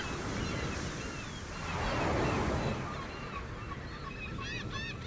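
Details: Gulls on a beach give thin, repeated mewing cries over heavy surf and wind, with a quick burst of calls near the end.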